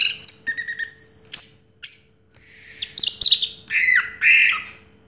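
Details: Varied song from a champion orange-headed thrush that placed first in 2022: thin high whistles, short slurs, a harsh burst, then lower warbled phrases, with brief gaps between.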